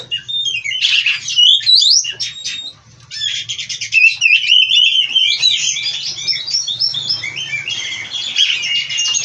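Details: Bred-in-captivity oriental magpie-robin delivering a long full-isian song of scratchy rasps, fast chattered phrases and rising whistles over a faint low hum, with a brief lull near the start.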